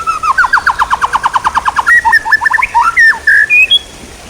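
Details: Songbird training material: a rapid rattling series of short downslurred notes, about five per second, followed by a jumble of quick chirps and a few clear whistles.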